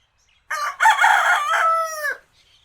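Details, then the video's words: A single rooster crow in near silence: a sharp start, a rough middle, then a long, clear, steady final note that falls away at the end, about one and a half seconds in all. "Animal Sounds of Roosters Crowing"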